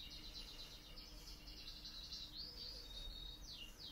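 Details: A pet canary gives soft, high chirps and quick downslurred notes over a low steady hum.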